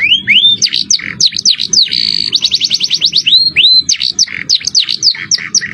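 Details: Masteran training song of a canary in 'cengkok mewah' style: rising whistled slurs, quick V-shaped notes, a buzzy segment, a fast rolled trill and more arching whistles.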